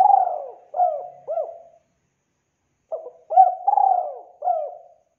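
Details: Spotted dove, recorded as a lure for trapping birds. It repeats clean cooing phrases of two or three hooked, wavering notes, pauses, then coos again in a longer run.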